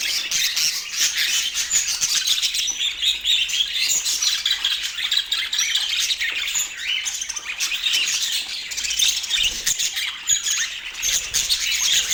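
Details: Pet budgerigars in Portland keep up a long, busy warble of high chirps, squeaks and scratchy notes, steady in loudness throughout.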